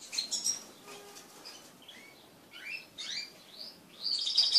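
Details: Pet crested canaries mating as a group: bursts of bright, high twittering notes, with several quick rising and falling slurred chirps in the middle and a dense, shrill trill at the end.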